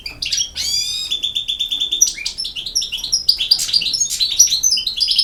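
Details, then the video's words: European goldfinch in campero song: a drawn-out rising, buzzy note, then sustained whistles and a dense run of bright, tinkling twitters and chips. "El Jilguero BiH 25"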